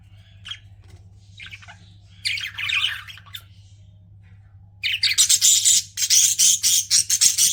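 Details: Pet budgerigars chirping: scattered short notes, then from five seconds a dense run of loud, harsh, high chattering bursts in quick succession, over a low steady hum.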